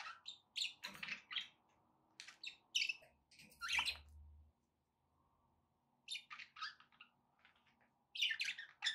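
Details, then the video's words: Captive budgerigars chatter in quick, bright chirps and scratchy warbles, in bursts with a pause midway, over a faint steady hum. "budgie sounds for pet parakeets to make tham happy"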